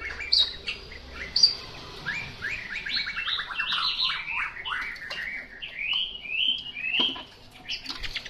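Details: Chinese hwamei singing somewhat distantly: a series of rising and falling whistled phrases in a high register, with a few sharp high accents, over a quiet background hiss.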